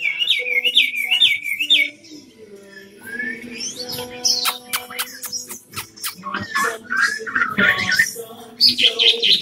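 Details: Tame three-season Chinese hwamei from Cao Bang, said to sing all day. Opens with a rapid rippling whistled phrase, followed by scattered notes, sharp clicks and a low tonal background.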